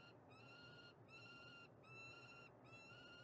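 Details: Female peregrine falcon calling in Montreal, Canada: three drawn-out, harsh, strongly harmonic cries, each about three-quarters of a second long and separated by short gaps, over steady low background hum.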